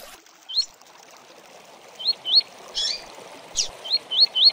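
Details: Double-collared seedeater "tui tui" song used as a tutor song for training birds: short looping whistled notes, single and in quick pairs and triplets, over a steady rushing hiss.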